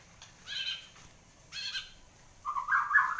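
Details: White-rumped shama, a kept bird just past its moult, gives two separate harmonic, slightly buzzy notes about a second apart, then breaks into a fast slurred warbling phrase at the end.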